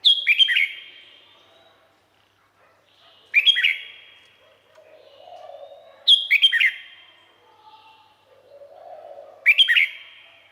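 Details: Red-whiskered bulbul, Thailand, delivering four short lively song phrases of fast slurred whistles, repeated about every three seconds, with a soft low murmuring sound in the background between phrases.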